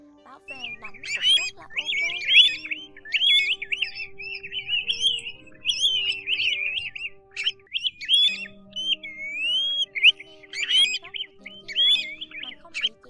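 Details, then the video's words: Pacific golden plovers give clear, slurred whistles over and over, several birds overlapping in a busy chorus over low humming tones; the recording is used to lure migrating birds to night nets in August 2024. "Tiếng Chim TU HUÝT"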